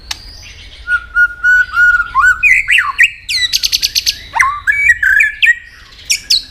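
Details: White-rumped shama singing in competition with many voices: a long level whistle, then twisting warbled phrases, dry buzzy rattles and rapid clicking trills, ending in high sharp notes.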